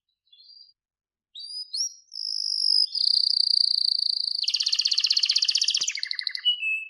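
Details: Canary singing: a few short high whistled notes, then a long steady whistle and a loud, rapid, buzzy trill that ends with a dropping roll.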